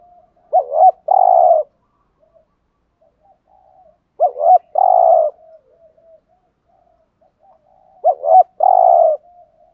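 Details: Spotted dove giving the 'thúc gù' call, used in Vietnam to lure wild doves: three loud coo phrases about four seconds apart, each a few short rising notes and then a longer throaty burred coo, with soft murmurs between.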